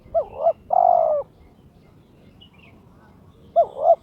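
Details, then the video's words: Pet spotted dove in breeding condition challenging an opponent: a quick rising double coo, then a longer steady hollow coo, a short pause, and another double coo, over faint background noise. "TERKUKUR TOKCER SUARA KRISTAL MENGUNDANG LAWAN/My turtle dove chirps challenging its opponent"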